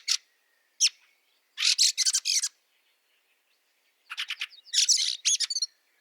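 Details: Fieldfare calling amid snow in Liepāja, Latvia, March 2023: single sharp notes, then loud rattling runs of five or six harsh chacks, followed by a softer and then a louder chattering burst.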